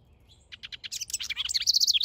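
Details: Backyard house wren, a male at work on a nest, opens with a few spaced high chips that speed up into a tumbling, chattering cascade of squeaky notes ending in quick, bright repeated pips.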